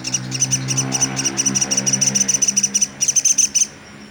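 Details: Pelatuk sampit, a velvet-fronted nuthatch, in a tutor recording for songbirds, giving a steady string of sharp, high, ringing chips, roughly five per second, over a low background hum.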